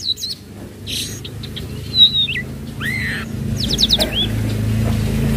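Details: Flowerpecker known as tledekan laut trotol, calling as a lure for untrained birds: scattered high, sharp chirps and a quick burst of four ticking notes over a steady low rumble.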